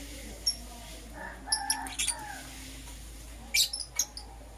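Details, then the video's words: Morning chirping from pet lovebirds, Green Personata and Yellow Pastel Pied: scattered sharp high squeaks and short mid-pitched chirps, a busier cluster in the middle and another near the end, over a soft steady hum. "Lovebird Chirping Sounds"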